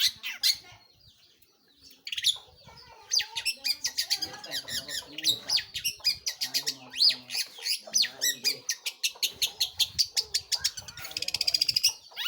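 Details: Long-tailed shrike in lively song, a dense varied chatter of sharp buzzy notes and quick trills that speeds into a rapid rattling burst near the end, with faint low sounds underneath.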